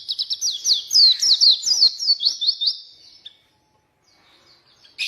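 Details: Oriental white-eye song for luring and training white-eyes that are lazy to sing: three seconds of fast, high, descending chirps, then a pause before a short harsh note.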